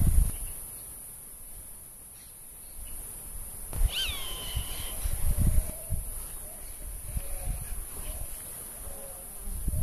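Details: Roadside hawk (taguato), in its season of defending territory and marking its presence by voice and flight. A single drawn-out scream with harmonics starts high, dips slightly, then holds level for about a second. Steady wind rumble runs beneath it.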